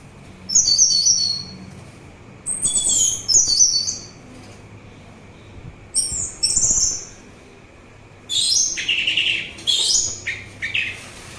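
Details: Orange-headed thrush song, played for relaxation and as a lure for other thrushes and birds: bursts of rich, varied high warbled and chattering phrases about one to two seconds long, separated by short pauses, with a faint steady hum beneath.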